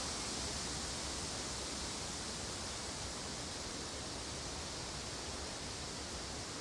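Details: Continuous broad rushing noise, like running water or wind, fills the recording with no birdsong or other animal voice standing out.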